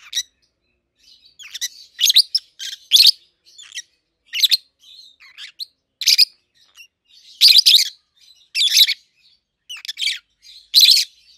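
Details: A pair of captive-bred peach-faced lovebirds, aged 7-8 months, one a red-headed green opaline and the other a red-faced dark green, raised together. They give sharp, high chirps and squeaky calls in short bursts, repeated irregularly through the recording.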